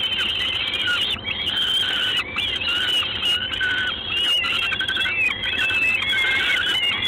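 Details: Peregrine falcon recorded 3 June 2016 at 19:47 in Gdańsk, giving a near-continuous stream of raspy, squealing cries with wavering pitch and short breaks, the whole over a faint hissing background.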